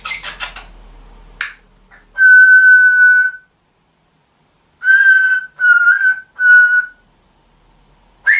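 African grey parrot giving clear, steady whistles: one long flat note, then three shorter ones of the same pitch, after a brief scratchy burst at the start.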